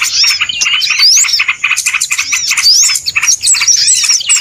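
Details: Small birds heard on a trapping lure track: rapid stuttering chirps from many birds, pierced by bright sweeping whistles rising steeply, the chorus dipping briefly before resuming loudly.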